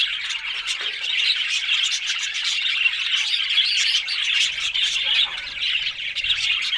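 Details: Busy budgerigar chattering with squawky chirps and warbled phrases running together nonstop and some sharp clicks mixed in, with a faint low rumble near the end.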